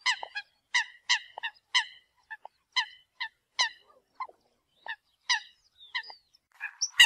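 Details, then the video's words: Eurasian coot calling the flock: crisp, nasal honks spaced about every half second, clean background, a high squeak at the close. "Tiếng kêu của Chim Sâm Cầm || Chim Sâm Cầm gọi đàn"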